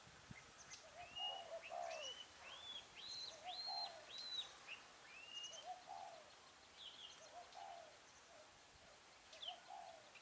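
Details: Spotted dove trapping in Vietnam, 10 December 2020: soft, low dove coos in short pairs every couple of seconds, with louder, clear arched whistles ringing out above them, apparently a decoy whistle.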